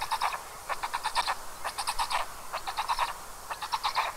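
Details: Black stork chicks calling on a nest camera in Karula National Park, Estonia, evening of 29 May 2022: rhythmic series of rapid chattering pulses, one voice likened to a duckling, the other to a trickling brook, over background hiss.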